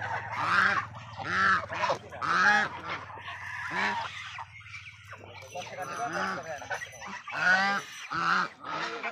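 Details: Farmed domestic geese honk in loud, nasal, brassy blasts about once a second, several birds overlapping, with a low steady hum underneath for the first few seconds.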